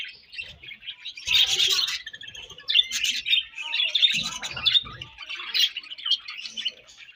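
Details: Breeding-season budgerigars warble and chirp in bursts, a lively high twitter rising and falling in loudness every second or so, with light low taps.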